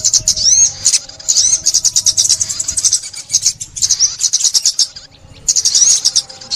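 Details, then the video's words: Sunbird, a trapped or caged bird, giving a rapid, high-pitched twittering song of thin trills and sharp chirps in dense bursts with brief pauses. "Tiếng Chim Ốc Mít"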